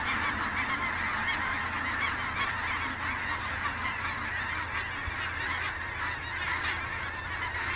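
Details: A large flock of geese honking together at the Sonny Bono refuge, a continuous noisy chorus of overlapping calls with a low rumble beneath.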